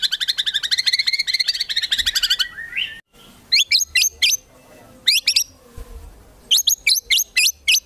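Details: White-rumped shama master song with 'isian tembakan' for competition birds: a fast high trill ending in a slurred note, then a short pause and separate bursts of sharp upswept chips.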